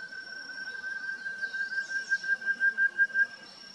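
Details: Such's antthrush in Cantareira State Park, São Paulo state, Brazil, December 2023: a run of short, mellow whistled notes on one pitch, about three per second, swelling louder then fading, over faint hiss.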